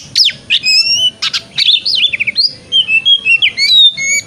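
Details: A white-rumped shama sings ngeplong-style song, meant to make another shama open its tail in the morning: loud clear whistles, long level tones and rapid wavering slurs broken by brief buzzy bursts.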